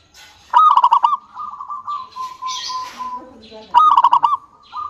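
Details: Local zebra dove singing, used as a lure to get other doves to sing: two loud, rapidly pulsed, ringing cooing bursts separated by a steady humming coo, with faint higher chirps from other birds in the background.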